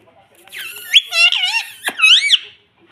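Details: Talking pet parrot that says mummy and mitthu: one continuous, squeaky, speech-like phrase with wavering, rising and falling syllables, and a sharp click midway, in a quiet room.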